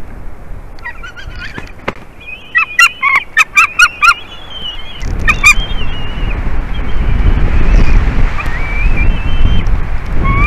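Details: White-tailed eagles at their nest in Durbe, Latvia, on 4 March 2023 at about 10:55 am, as one bird brings a fish to its mate. A burst of sharp, high yelping notes in quick succession gives way to heavy wind rumble.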